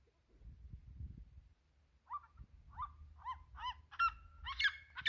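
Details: Red-legged seriema singing: after two seconds of low rumbling background, loud harmonic yelping notes begin, roughly two per second, becoming louder, denser and higher-pitched toward the end of the series.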